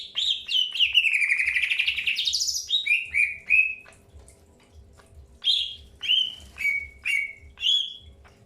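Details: Early pairing of greater green leafbirds: a rising, buzzy warbled phrase that climbs steadily, followed by a string of short, clear whistled notes spaced about half a second to a second apart.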